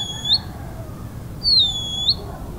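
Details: Band-winged nightjar song: a brief high whistle ending in an upward flick, then a longer thin note that dips, stays level, and rises sharply at the close, over a faint low rumble.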